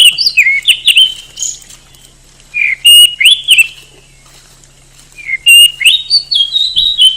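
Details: Singing oriental magpie-robin, a favourite contest bird in Indonesia, delivering loud varied phrases of clear whistles, downslurred notes and sharp high chips in three bursts separated by short pauses.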